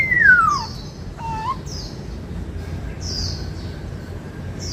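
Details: A white-cheeked laughingthrush sings in the bắt cô trói cột style, opening with a clear whistle that falls steeply, then a short doubled note, while thin high chirps from other birds continue behind it.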